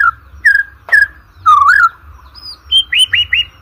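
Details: Short white-rumped shama passage meant for training contest birds: clear whistles and sharp snapping notes, then four rising upslurred whistles repeated quickly at the end, over a low steady hum.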